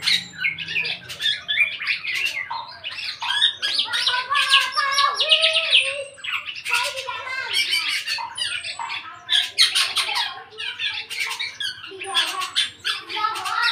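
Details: Black-naped oriole, eight months old, now starting to sing in full: long, varied, rapid medley of scratchy chatters, buzzy bursts and brief clear whistles, continuous and loud with only short breaks.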